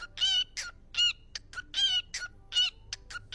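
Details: Pet parrot talking, repeating a short word over and over in quick bursts, each harsh, buzzy utterance separated by brief pauses.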